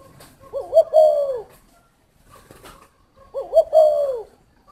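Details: Spotted dove recorded in Ba Vì, Hanoi, Vietnam: two soft, low coo phrases roughly three seconds apart, each opening with short upswept notes and ending in a sustained falling coo, with faint knocks between.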